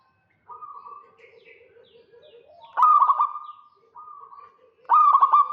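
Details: Local zebra dove calling in 'kerot' style to lure a rival: a soft held coo over low purring notes, then two loud bursts of rapid, choppy, ringing notes with a quieter tone between.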